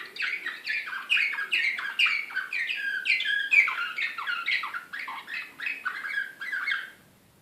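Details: Serbian slavujar canary, described as excited, in Belgrade in 2016, singing a fast run of descending whistled sweeps repeated about twice a second, bright and rolling with brief louder peaks, in a quiet room.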